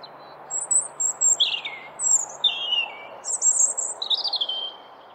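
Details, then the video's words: European robin in spring singing a wistful, high phrase of thin trills and descending warbles, each note group jumping between pitches, over faint background hiss. "European robins have a wistful touch to their song."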